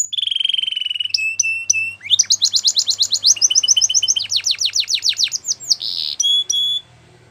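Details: Canary training song: a steady whistled tone with spaced chips, then a long rapid rolled trill and buzzy notes over a faint low hum.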